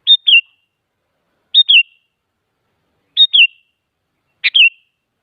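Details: Sooty-headed bulbul singing as a lure for other bulbuls: four crisp two-part whistled phrases, high then dropping, about every one and a half seconds, the last starting with a buzzier note.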